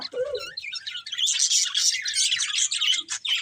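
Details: Colourful budgerigars from a breeding pair: a short lower squawk opens, then rapid chirps and bright warbling notes pour out in a dense, uneven stream.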